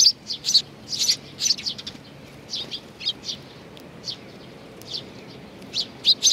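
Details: Scattered high chirps from sparrows gathering to be fed, Tenmangu shrine, Nakanoshima, 21 June 2020; clustered calls at the start, then sparser single notes over a faint background hum.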